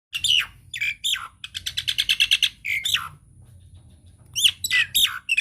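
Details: Nias hill myna in a loud, chatty lure recording meant to set other mynas singing: sharp descending whistles, a quick run of clipped rhythmic notes, then more swooping high whistles after a short pause.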